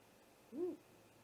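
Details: Great horned owl during a night attack on a great gray owl at its nest, nest camera, 00:03 on 30 March 2018. A single brief low hoot bending up and down, with soft background hum.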